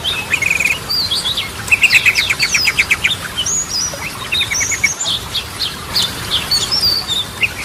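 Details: Yellow-vented bulbul in lively song meant to rouse silent birds, drawn from Ropelan, Goklikan and Garudaan styles. Busy high whistled phrases with short buzzy bursts and quick ticking series, over a constant hiss.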